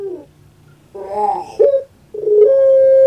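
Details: Puter pelung dove kept as a pet: the tail of a coo, a throaty rolling gurgle, a short sharp note, then a clear long hoot starting and holding level.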